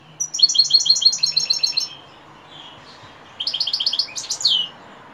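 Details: Evening song of a European goldfinch: a fast, liquid twitter of repeated bright notes lasting under two seconds, a pause, then another twittering burst ending in downslurred chirps.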